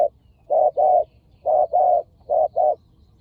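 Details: Spotted dove facing a decoy bird in Thailand, both birds fierce; three paired coos, each a short burst followed by a fuller rounded note, in a quiet setting.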